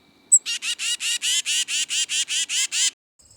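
A Tufted Titmouse gives a rapid series of about eleven harsh, buzzy, scolding notes, about four per second, after one brief high chip.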